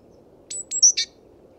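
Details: A Great Tit, recorded with a homemade parabolic microphone, gives four quick, high calls in about half a second, thin whistled notes, then harsher ones, over a steady low rumble.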